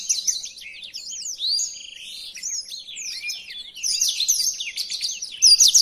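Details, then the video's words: Blackthroat song, one of five varied tutor recordings: looping high whistles and twitters, softer and more spaced in the middle, building to a dense, loud twittering finish. "Burung Blackthroat Original untuk Pemasteran"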